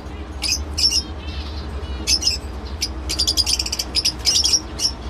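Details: Lovebird producing scattered sharp, high squeaky chirps, then a quick rattling series of rasping notes toward the end, with a low steady hum underneath.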